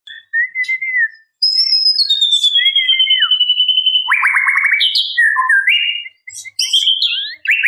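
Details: Female white-rumped shama calling males: clear whistled notes sliding down, then buzzy rapid trills near mid-high pitch, sharp high chips and short rising phrases, loud and close with no other sounds.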